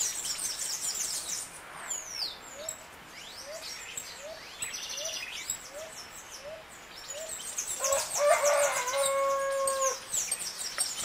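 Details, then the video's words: Saffron finch, Sicalis flaveola, in canto estalo song: bright high trills and sharp downslurred notes, a low rising note repeated every half second underneath, then a brief harmonic buzzing call from another bird. "CANARIO DA TERRA CANTA E ENCANTA canto estalo"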